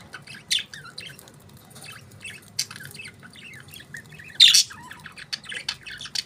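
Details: Budgerigars give sparse, quick chirps and chattering notes spaced irregularly, with one louder harsh squawk burst near the end against a faint low hum.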